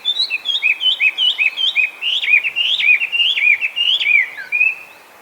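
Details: Loud song of a Chinese hwamei, feral in Japan after escaping captivity: a run of short, bouncing whistled phrases repeated nearly twice a second, building into longer swooping, looping notes before fading into quiet.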